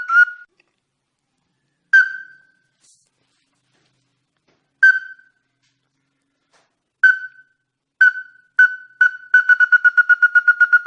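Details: Ruddy-breasted crake call used to lure birds: isolated hard nasal notes every two to three seconds, coming closer together until they run into a fast, even string of repeated notes at the end, with no other sound.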